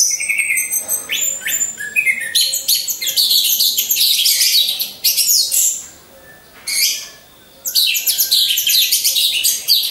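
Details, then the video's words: Lure song of a caged orange-headed thrush, one of several hung side by side for training: continuous loud, high, varied twittering and chattering phrases. Two short lulls break the flow near the end. "Pancingan Burung Anis Merah"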